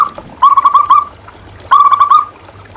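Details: ['Zebra dove (local perkutut) song meant to lure and stimulate caged doves. Two phrases of fast, rolling, purring coo notes, each under a second long, separated by a pause.']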